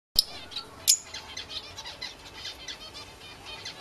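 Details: A pair of green masked lovebirds kept at home since December 2008: two sharp, shrill high chirps near the start, followed by a soft, steady run of faint high twittering.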